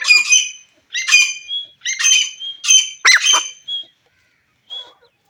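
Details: Iranian partridge prompted to call with a whistle, giving five harsh, buzzy squawks spaced roughly a second apart, each a rasping burst ending in a thin high tail, then silence with one faint note.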